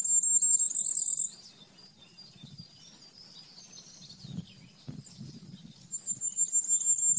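Common firecrest singing a very high, thin run of rapid notes at the start and again at the end, over a faint low rumble.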